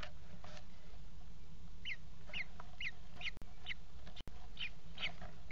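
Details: Four Common Kestrel nestlings begging as the mother feeds them in a nest box, 28 June 2016 at 17:00; after a quiet start, high piercing downward squeaks come in a steady series about every half second over low hum.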